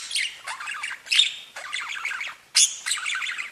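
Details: Singing domestic budgerigars: short bursts of chattering, clicking warble separated by brief gaps, each burst opening with a sharper squeaky note.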